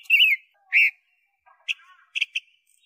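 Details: Pekin robin, a small loud-voiced songbird, in a tutor recording for training caged birds: two loud whistled notes, the first wavering and falling, then a pause and a few short soft chips and sharp clicks.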